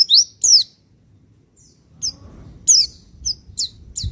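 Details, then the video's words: Javan white-eye, Pacitan type, recorded as a master to excite other birds: two loud high down-slurred chirps, a pause, then softer spaced chirps rising in strength, with faint low rumbles. "Masteran dan terapi pleci Pacitan cocok untuk pancing emosi burung pelici"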